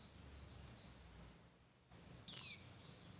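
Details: Female Javan white-eye call, played to provoke males into vigorous singing and breeding excitement: a soft high slurred note, a pause, then a brief note leading into one loud, sharp, descending high-pitched call with a fading tail.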